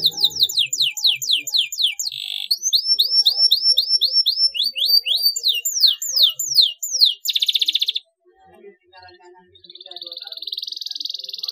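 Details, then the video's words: Canary song played as therapy to get silent, lazy canaries singing: fast descending note series, rapid buzzy rolls and trills, a dense rattling burst near eight seconds, then a quieter continuous trill to the end. "CUITAN KENARI PALING JITU UNTUK TERAPI KENARI DIAM MALAS BUNYI"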